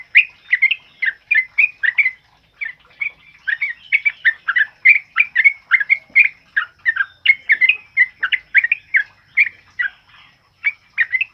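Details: Training song of the sooty-headed bulbul in loud 'ropel uplik' style, for tutoring other birds and prompting silent or moulting ones to sing: a long unbroken stream of rapid, jerky, whistled chirps.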